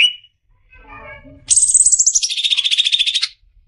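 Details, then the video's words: Faint soft notes, then a high, rapid trill that slides downward and continues as a fast buzzy rattle for nearly two seconds; Greater green leafbird (cucak ijo) 'besetan' song for training caged birds. "SUARA JERNIH,Besetan suara burung CUCAK IJO."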